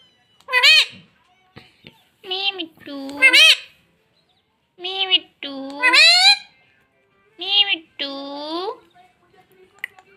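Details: Talking pet parrot saying "mummy" over and over, about five paired voice-like syllables, the second of each pair longer and sliding in pitch, with brief pauses in a quiet indoor setting.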